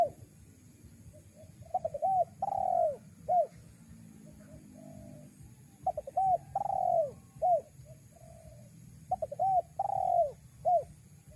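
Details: Spotted dove call used as a lure for wild doves: three phrases of low stuttering notes, each leading to a long, drawn, falling coo and a short hooked note, repeated about every four seconds, with a faint low hum beneath.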